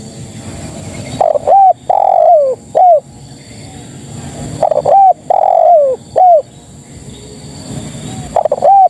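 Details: Female spotted dove calling to males: two loud coo phrases, each a short hooked note, a long falling coo and a final upswept note, separated by about three seconds of quiet hiss.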